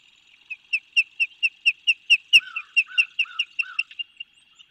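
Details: Osprey at Skidaway, Savannah, Georgia, 8 February 2023 around 13:39, with eagles soaring nearby, gives about fifteen short, piercing whistled cheeps, several a second; lower slurred whistles join partway.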